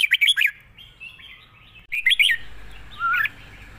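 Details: Red-whiskered bulbul singing wild-style long song: three quick bright slurred whistles, a soft warble, another sharp triple burst, then a drawn-out buzzier phrase over steady background noise.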